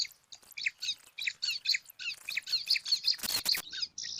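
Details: Five bar-winged prinia chicks in a nest in alang-alang grass beg noisily while competing for food: a dense run of scratchy, high, repeated chirps, with a short loud rustle or flutter near the end.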